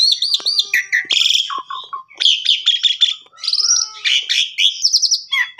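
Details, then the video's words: Asian pied starling lure singing for canary tutoring, mixing a series of arched whistles with grating buzzy bursts, short falling chips and fast stuttered note clusters, in lively unbroken phrases. "Pancingan Jalak Suren Cocok Buat Masteran Burung Kenari Bongkar Isian Gacor"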